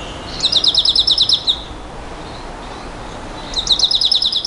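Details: Nightingale singing a 'bouh gnaoui goubaa' style song: two separate bursts of rapid, evenly repeated high chipping notes, each about a second long, with a quiet gap between.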